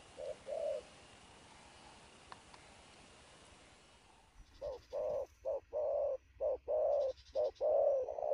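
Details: At twelve noon, a newly trapped spotted dove coos at speed. After two soft coos and several seconds of hiss, a loud burst of rapid low coos follows, short and long notes tightly packed, with faint high buzzy chirping.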